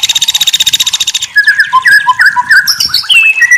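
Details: White-rumped shama song used as a tutor recording: a rapid buzzy rattling trill of about twenty pulses for over a second, then loud varied whistled notes, slurred upward and downward, in quick succession.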